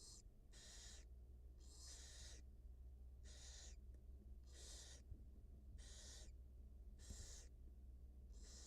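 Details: Wild barn owl at the nest as the mother feeds her two newly hatched nestlings, filmed on a live camera: harsh, breathy hisses about half a second long, repeating roughly every second over a steady low hum.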